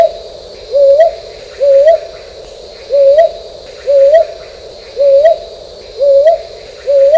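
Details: A brown hawk-owl (brown boobook, Ninox scutulata) calls with soft, low, two-part hoots that lift at the end, about one a second, over a steady high insect hum.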